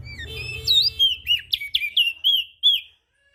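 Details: Ashy prinia call used to attract small birds: a quick string of sharp, high chirps and looping whistled notes, ending with one separate note.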